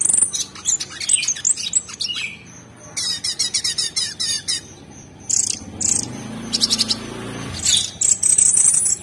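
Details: Orange-bellied Leafbird kept as a cage bird, singing its 'tembakan' style for a training master: fast, sharp chattering trills and high squeaky notes in irregular bursts over a faint low background rumble.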